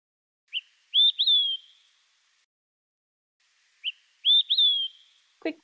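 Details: Olive-sided Flycatcher (Contopus cooperi), a species at risk in Newfoundland, sings its whistled 'quick three beers' twice: a short pip, then two loud slurred whistles, the last sliding down, ending in a faint click. Males sing from the tallest treetops.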